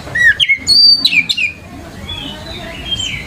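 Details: Oriental magpie-robin on a training lure for young birds, giving a quick burst of loud whistled slurs and sharp chips, then softer, drawn-out whistles trailing off.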